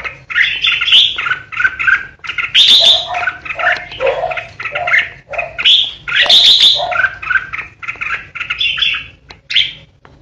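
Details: Ché song from a kept decoy red-whiskered bulbul, continuous bright whistled chirps and lower slurred notes in quick succession, with occasional piercing high squeals.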